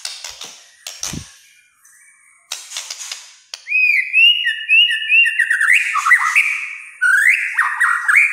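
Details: White-rumped shama in kretekan song: after a few clicks and knocks, a long run of clear whistled notes with quick upward flicks and high twittering phrases.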